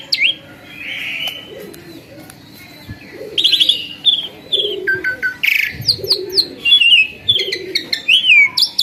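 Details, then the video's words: Asian pied starling, a once skittish bird that has turned tame and sings freely, giving varied whistles, rising slurs and sharp chirps in bursts, quieter at first and then louder and denser from the third second. "tiba tiba burung ini jadi gacor dan jinak, awalnya burung giras"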